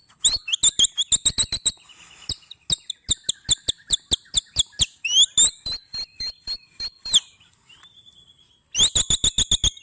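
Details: White-rumped shama singing in the bius pompa style: long series of sharp clicks mixed with high, bright two-pitched whistles, some held and wavering, a short pause, then a fresh burst of rapid clicking notes.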